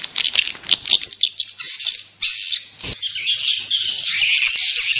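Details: Swiftlet calls used to attract swiftlets: dense, high buzzy chirps and twitters, repeated rapidly in overlapping bursts, with a harsher, more continuous chattering stretch in the second half.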